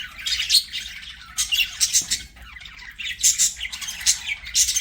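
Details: Budgerigars chattering as they sing and play: bursts of harsh high squawks and chirps in clusters, with a brief lull near the middle before the busy warble resumes.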